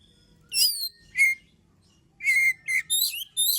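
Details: Oriental magpie-robin song used to provoke other birds into singing: brief bursts of rich whistles and harsh buzzy notes separated by short silences, with a soft low hum.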